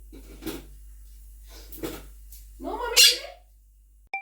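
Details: A pet monk (Quaker) parakeet, talking and singing with its owner at home, utters three short, raspy, speech-like phrases, the last louder and shriller, followed by a sharp click.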